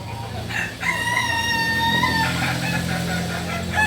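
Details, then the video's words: Kokok Balenggek rooster crowing at a practice contest in Amko, Solok city: a long, steady, level two-tone crow held about one and a half seconds, over constant low background hum and ambient noise. "ayam kukuak balenggek"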